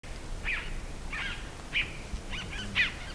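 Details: Scarlet-throated Tanager song: five short, harsh, slightly whistled notes spaced about half a second apart, fairly soft, over a low rumbling outdoor background.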